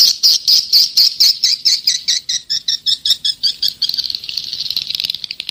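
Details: Attraction call for swiftlets, old 'SP jadul 1972' lure sound: steady series of high chirped notes, about two a second, then a rapid, twittering chatter in the final seconds.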